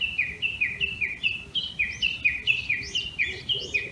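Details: Valley-crossing call of a Japanese bush warbler that returns each year to a bamboo grove in Tokyo's Tama area, early morning of 26 May 2019: a rapid, even train of about eighteen sharp, paired descending notes, roughly five per second.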